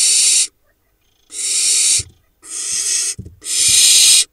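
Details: Barn owl nestlings, hatched from 8 June 2021 and filmed preening in a nest in the Hula Valley, Israel, on 7 July 2021. Four remain of a late-laying pair's clutch. They give four harsh, breathy hisses, each about a second long, with faint soft knocks in the gaps.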